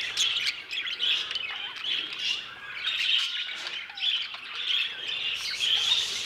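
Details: Budgerigar flock inside an aviary: a steady bed of bright, warbling chatter with scattered harsher squawks and quick rising chirps rising above it.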